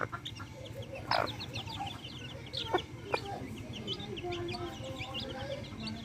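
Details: Backyard hens with chicks, feeding; short clucks and scattered high chick peeps through the clip, a louder sharp call near one second, steady low background rumble.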